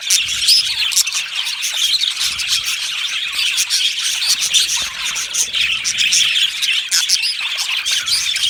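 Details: Colony of Australian budgie parrots in an aviary giving constant high-pitched chirping and warbling chatter, many birds calling at once.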